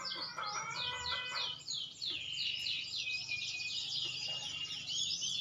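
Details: Softer, more distant song from a maturing green canary: jumbled high twitters and descending slurs over a background hiss, with a lower harmonic warble early on.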